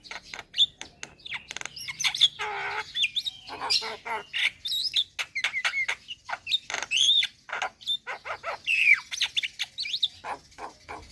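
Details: Javan myna delivering a varied song of harsh chatters, short whistles and grating notes in a dense, continuous sequence.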